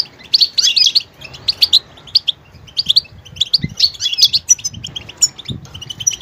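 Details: Goldfinch singing a varied song, switching between different sounds; rapid bursts of high, bright twittering chirps and tinkling notes in quick clusters, with brief pauses and faint low background rumble.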